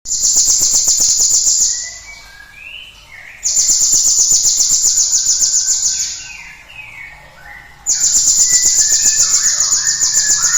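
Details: Cinereous tit singing in a recording used to stimulate other birds to sing. Long, very high, rapid buzzy trills of evenly repeated notes come in three bursts with short gaps. Fainter, lower sliding whistles from other birds sound between the bursts.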